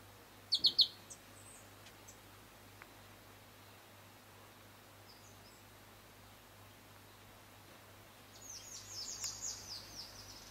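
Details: Variable sunbird, subspecies igneiventris, in Kibuye, Rwanda, in March 2013: a brief pair of thin, high notes, then a faint, fast, high twittering series near the end over a steady background hiss.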